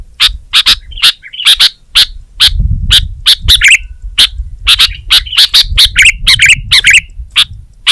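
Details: Kutilang, or sooty-headed bulbul, singing energetically in gacor style: busy, irregular chirps roughly twice a second, some in rapid doubles, with swooping notes and a low rumble behind.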